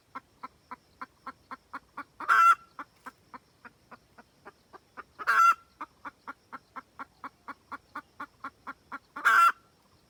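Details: Red junglefowl hen's call to the rooster, a decoy sound for trapping: an unbroken stream of clipped clucks, about three a second, with three loud harsh cackles spaced roughly three seconds apart.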